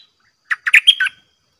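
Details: Red-whiskered bulbul kept in a cage, taken into the forest to sing against fearless wild birds; five quick, rich, chattering-warbled notes in under a second, rising then dipping, with silence around them.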